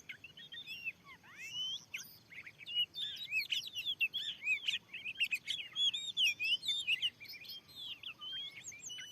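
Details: Oriental magpie-robin, a wild and very fierce bird answering a lure set in a new field, pours out a dense, fast jumble of chirps, swoops and twittering whistles.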